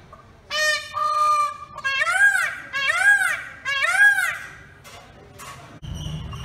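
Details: Indian peafowl calling from a pole: two flat, nasal honking notes, then three loud arched wailing calls about one second apart, with rich harmonics. A short noisy rustle follows at the end.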